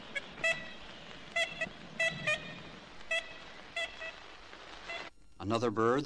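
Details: An Ivory-billed Woodpecker in Florida, the bird's probable last stronghold, gives nasal, tin-horn-like toots, singly or in quick pairs, about eight over five seconds; a louder, wavering musical sound ends the recording. 1969 record.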